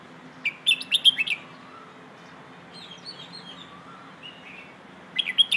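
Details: Red-whiskered bulbul in the 'phleng ho' song style for teaching young birds: a fast burst of ringing, slurred whistles, softer warbled notes in between, then a fresh bright phrase starting at the close.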